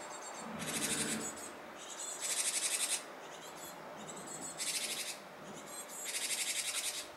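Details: Japanese tit around fledging time, appearing to dither; four harsh, buzzy, pulsed bursts, each about a second long, come at intervals of roughly two seconds, with softer rasping between them.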